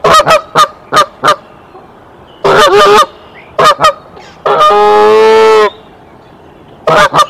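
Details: Mother goose at her Decorah nest, 27 March 2023, alarm-calling to bring the male; quick honks interrupted by a prolonged, strained nasal honk of about a second.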